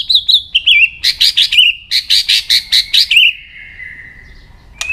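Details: White-rumped shama singing in many voices, a recording used to stimulate and train other shamas: two whistled notes, a run of about nine sharp rapid clicks, then a long, steady, slowly falling whistle.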